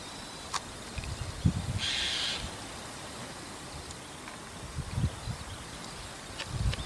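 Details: ['White-cheeked starling calling on a roof in the evening; one harsh, buzzy call around half a second long, with scattered clicks and faint low thumps in the background.']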